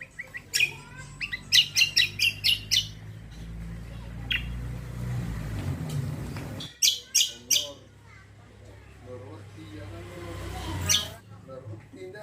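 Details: Greater green leafbird (cucak kombo) song used as a lure to make other birds answer: clustered bursts of sharp, high chirps and quick trills, with a man talking and a low hum in the background.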